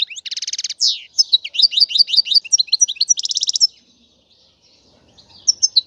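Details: European goldfinch twittering, meant to rouse males to sing: a rasping buzzy trill, then a string of quick upslurred chirps and another buzzy burst before fading to near silence, with a few twitters returning at the end.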